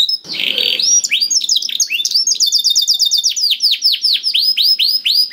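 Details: Canary song used as a lure to prompt a quiet canary to sing: continuous high trills of rapid repeated downward-sweeping notes, changing tempo, with a brief harsher buzzy burst near the start.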